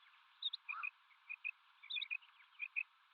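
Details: Male and female common quail calling: short, high paired notes repeat in quick succession, with one brief lower rasp early on. The sound is narrow-band and faint.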